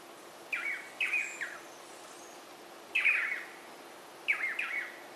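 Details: Swallow-tailed manakin (Chiroxiphia caudata) giving harsh, nasal, wavering calls in short bursts of two or three notes spaced a second or more apart, over a faint steady hiss.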